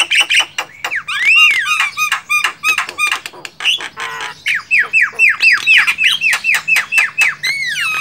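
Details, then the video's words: Wild Javan mynas (Acridotheres javanicus) give a rapid run of harsh squawks and whistled, downslurred notes, several a second, with chattering overlaps from more than one bird. "JALAK KEBO DI ALAM LIAR"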